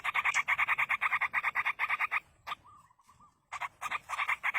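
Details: Yellow-vented bulbul chicks in the wild begging during feeding by a parent: a fast, steady string of harsh buzzy notes, a pause with a short soft warbling phrase, then the rapid begging resumes.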